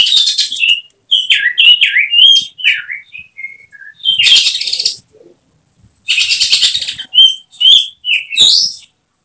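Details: Oriental magpie-robin (kacer), a prospective contest bird, singing in a quiet setting. It gives varied whistled phrases, slurred up and down, broken by harsh, buzzy bursts, with short pauses between phrases.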